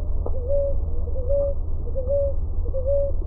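A ruddy ground dove coos in soft, low two-part notes, a short rise then a held tone, repeated about every three-quarters of a second over a steady low hum.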